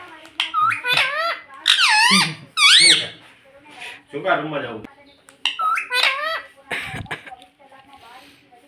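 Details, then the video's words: A pet parrot said to talk "mummy" and "papa" produces a string of high, nasal word-like bursts with swooping pitch. The bursts are repeated with short gaps between them, and faint low background sounds are present. "Parrot talking mummy Papa || Talking parrot"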